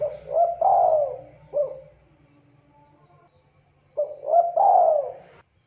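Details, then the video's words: Spotted dove cooing clearly for luring and training birds, two phrases of rising and drawn-out falling coos with a quiet gap between them, over a steady low hum. "Tekukur Derkuku Deruk Gacor Suara JERNIH"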